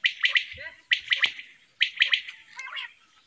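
A quail gives three short bursts of sharp, squeaky chirps. Each burst is a quick rising-and-falling cluster, repeated about once a second, and there is no other sound.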